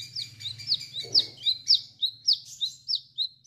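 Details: Chestnut-capped laughingthrush from Indonesia singing actively in the style called wiceh wiceh: high, sharp downslurred chirps repeated about twice per second, with softer intervening notes and a faint low hum underneath.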